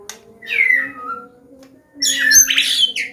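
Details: White-rumped shama from Medan, combination song meant to prompt young birds to sing: a falling slurred whistle, a pause, then a loud burst of harsh, rich chattering notes over a constant low hum.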